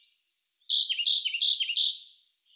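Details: Siberian blue robin singing in May 2021, recorded with a Sony A1 camera: two thin high introductory notes, then a loud, rapid, slightly descending chattering trill lasting over a second.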